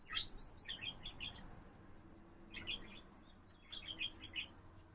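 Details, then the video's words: Pet budgerigar producing bursts of rapid chirping warble, three clusters of squeaky, scratchy notes separated by brief pauses, with soft background noise. "セキセイインコ そらちゃんのさえずり"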